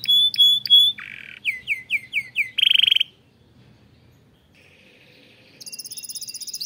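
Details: Canary from a breeding room, song meant to stir up its chicks: bright whistled notes, a series of descending slurred syllables, a harsh buzzy burst, a silent gap, then a rapid high trill.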